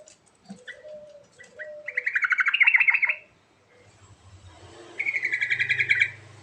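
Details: Sooty-headed bulbul in lively full song: scattered short notes and a thin whistle lead into a loud, fast rolling chatter. After a pause with faint low hum, a second bubbly pulsed phrase follows.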